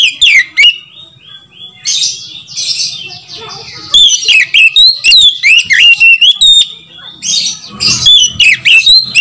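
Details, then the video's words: White-rumped shama, a caged bird used as a lure call to make other shamas sing: loud, varied whistled phrases with rich slurred notes and harsh buzzy bursts, delivered in rapid bursts with short pauses. "SUARA PANGGILAN KACER"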